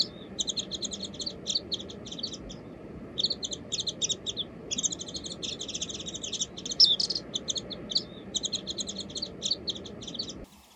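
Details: Warbling white-eye singing long rapid twittering phrases of high chirps, in bursts of one to two seconds with short pauses, over a low constant background hum.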